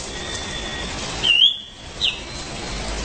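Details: Orange-headed thrush in loud, continuous song: a clear whistled phrase rising and sliding, followed by a shorter sharp whistle, over a steady background hiss.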